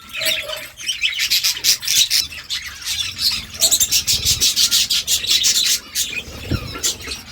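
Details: Budgies chirping, a sound said to make them dance: raspy, high chatter that breaks into quick, repeated scratchy pulses, with a faint low hum underneath.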